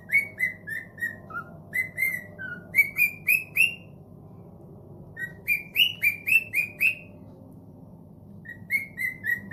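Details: Cockatiel kept as a pet, responding to a phone call: series of short clear whistled notes, some rising and some falling, in runs of three to six with brief pauses, over a steady low indoor hum.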